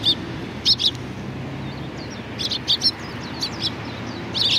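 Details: Eurasian tree sparrows collected at food at a Tenmangu shrine in April 2019 call with sharp high chirps in scattered pairs and short clusters, plus a few thin faint slurred notes, against low traffic-like hum.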